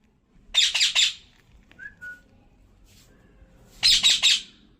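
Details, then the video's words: Talking parrot, a pet kept indoors, giving two bursts of harsh, rapid squawks, three or four notes each, separated by a quiet gap with a brief whistle; a person nearby speaks in Hindi. "Bolne wala tota #parrot sound"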